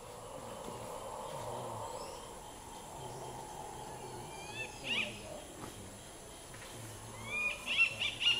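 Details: A Black-fronted Nunbird by the Amazon River gives a few short, clear whistled notes, once and then in a quick burst of three, over a steady insect hiss and low rumble.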